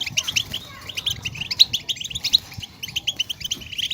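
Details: European goldfinch twittering to excite caged goldfinches: short, crisp high chirps repeated in quick irregular series, some liquid and tinkling, over faint low background noise.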